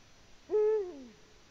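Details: A single low hoot from a Eurasian eagle-owl in the nest, Latvia, mid-February 2020. The note rises sharply, sustains briefly and then drops away in a falling tail over about half a second.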